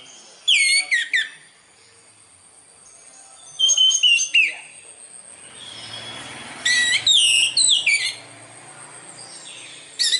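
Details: Orange-headed thrush, called anis merah, from Indonesia, singing sweetly in three separated bursts of rapid twittering notes and downslurred whistles, each phrase about a second long with quiet pauses between.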